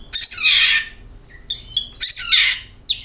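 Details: Oriental magpie-robin sounds used as a kacer lure: two loud, harsh, rasping squawks about two seconds apart, with short thin chirps between them.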